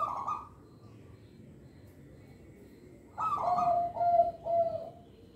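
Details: Local zebra dove song for luring young birds: a bright higher note fading out, about three seconds of quiet, then a loud rolling phrase followed by two hollow, low coos.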